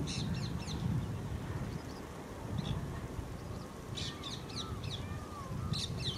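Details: Indian ringneck (rose-ringed) parakeets at ANGRAU, Hyderabad, India, in May: short harsh, high screeching bursts in scattered clusters over a constant low rumbling background.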